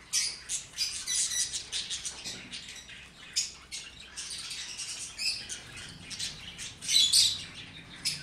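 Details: Pair of lovebirds kissing, dancing and cuddling, giving rapid, scratchy, very high-pitched chirps in irregular bursts, with a few louder squeaky notes near the end.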